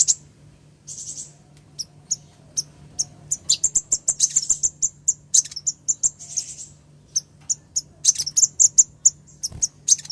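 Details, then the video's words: Ruby-cheeked sunbird female calling the male, used as a lure for a male that has stopped singing: scattered high chirps building into fast, dense runs of sharp ticks and short buzzy trills, over a low background hum. "SUARA KOLIBRI NINJA BETINA MEMANGGIL JANTAN"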